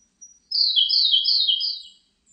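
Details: Siberian blue robin song: thin introductory pips, then a loud, rattling trill of rapid repeated notes lasting about one and a half seconds, fading at the end, with a faint high note after.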